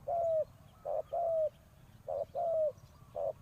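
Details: Decoy spotted dove luring wild doves with its coo: a short hollow note followed by a longer, slightly descending one, the pair recurring about every second.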